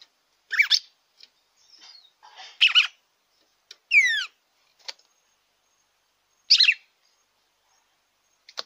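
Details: Captive red-cowled cardinal song played to stimulate another caged bird. Short, scratchy warbled phrases come at irregular intervals, with one clear, descending slurred whistle, against a silent background.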